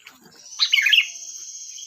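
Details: Kutilang, the sooty-headed bulbul, giving one short, loud, liquid warbled phrase of bright bubbling notes over a continuous high-pitched whine.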